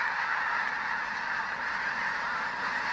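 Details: Snow geese in a flock of over 20,000 at a refuge, spooked off a field into a low flying frenzy: an unbroken wall of overlapping nasal honks from countless birds, steady and loud throughout.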